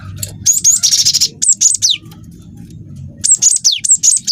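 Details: Young cinereous tit in active song, used as a lure to provoke other birds to sing: high whistled phrases with steep downslurs, a buzzy rolling trill, then more whistled slurs after a pause. Low background hum throughout.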